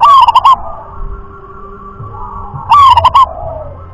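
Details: Zebra dove of local wild stock singing rhythm-class song. A clipped phrase of quick cooing beats ends just after the start, and another rising, stuttering phrase follows about 2.7 seconds later. Soft background tones are also heard.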